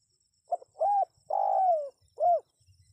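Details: Spotted dove calling to draw wild birds into answering: a soft, hollow cooing phrase of four notes, a brief coo and a short one, then a longer drawn-out coo that slides downward, and a closing short rounded coo.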